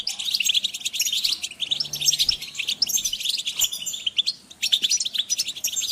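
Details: Group of European goldfinches calling, a recording for motivating birds: continuous bright, jangling high chirps and trills overlapping steadily, with a faint low hum beneath.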